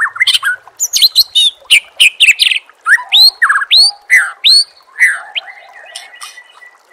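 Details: Loud, energetic masteran of a white-rumped shama for training contest birds. A dense stream of varied whistles and harsh chattering notes, many sharply rising, gives way to quieter, lower warbling at the end.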